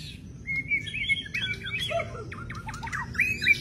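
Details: Wild long-tailed white-rumped shama singing a varied run of clear whistled phrases, some sliding and some rising, with sharp downward notes near the end; steady low rumble of background noise throughout.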